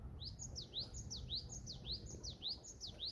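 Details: Great tit (Parus major) singing on the summit of Wollongsan, Paju, with bright, high, ringing two-note phrases repeated quickly and evenly over a low wind rumble; perhaps calling to find a mate.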